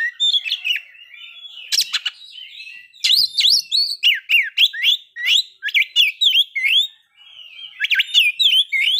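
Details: White-rumped shama song used to bring on breeding condition and aggression; loud, varied rising and falling whistled phrases, a series of quick hooked notes, interrupted by sharp clicking bursts.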